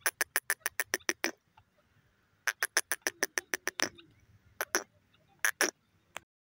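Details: Grey francolin giving its call as rapid series of sharp, percussive notes, roughly eight to ten in quick succession, then a pause, another long series, and a few scattered final notes.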